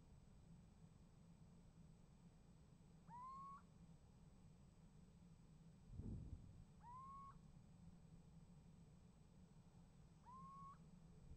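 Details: Little owl calling from a nest box on 28 January 2015 and being answered. Three upward-sliding whistled notes come roughly every three and a half seconds, with a dull thump midway and a low steady hum throughout.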